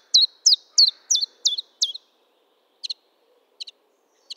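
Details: [['Chiffchaff singing six loud, sharp, high notes in a brisk even series, followed after a pause by three faint, clipped double chirps; no other sounds intrude.']]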